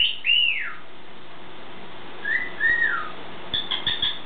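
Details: Pet bird's morning whistling: one loud arched whistle that rises and drops, a gap, then a softer drawn-out whistle, and a few faint high chips near the end over steady room hum.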